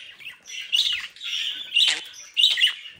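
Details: Budgerigars from a home breeding in South Holland give a short run of warbling chirps and scratchy notes, with three louder buzzy bursts.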